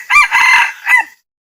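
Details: Male red junglefowl challenging a rival with a loud, rasping crow: a sharp opening note runs into a long sustained harsh section, followed by a short falling final syllable.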